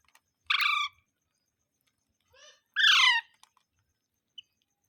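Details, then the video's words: Parrot giving a loud, rough squawk, then a quieter falling call and a second strong descending screech, followed by a brief high chirp. "Mitthu Mitthu Parrot Sounds | मिट्ठू मिट्ठू |Funny parrot sound"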